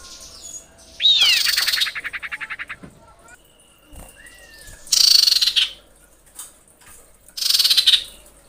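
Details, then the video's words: Common iora female calling males: a sharp falling note leads into a rattling run of about ten even pulses, then a flat drawn-out whistle, then two loud buzzy high bursts spaced about two and a half seconds apart. "dengar panggilan cipow betina ini"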